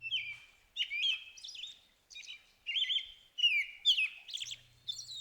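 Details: A male American Robin sings in the early morning in spring, caroling in short whistled phrases about one a second, rising and falling, with thin high squeaky notes mixed in; faint low hum beneath.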